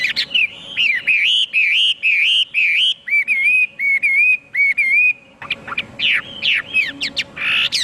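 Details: Vigorous Chinese hwamei song of repeated wavering whistled phrases, each about half a second long, shifting midway into sharper, more scattered upslurs and chattery notes, over a low steady hum.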